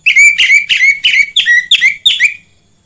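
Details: Orange-headed thrush song played as a lure to get other orange-headed thrushes singing: six loud, rich whistled phrases about every third of a second, each sliding downward, then quiet.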